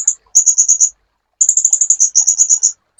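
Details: Sunbird song made as master material for training caged songbirds. Quick bursts of shrill, ticking notes, each run lasting about half a second and separated by short gaps.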